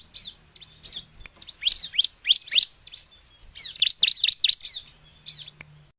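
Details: Bar-winged prinia (ciblek) in lively gacor song, used to lure other birds: clusters of sharp, rapidly repeated high chirps in quick bursts, with a faint steady high tone and low hum in the background.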